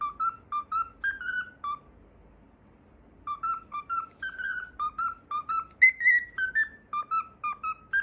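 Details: Pet cockatiel whistling the PythagoraSwitch TV opening theme indoors: clear, pure whistled notes in a bouncy repeated melody, about two notes per second, one phrase, a two-second pause, then the tune resumes and climbs higher near the end.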